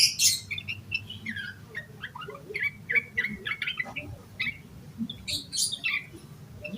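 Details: Excited yellow-vented bulbul singing as a lure for other bulbuls: opens with a sharp high squeak, then scattered short whistles and chirps with gaps between them, and a further shrill burst near the end.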